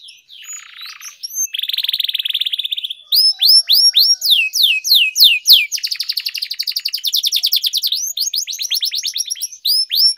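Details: Canary singing used for training; a buzzy rolled phrase leads into long runs of rapid down-slurred whistles and fast rattling trills, varying in speed, continuing without pause.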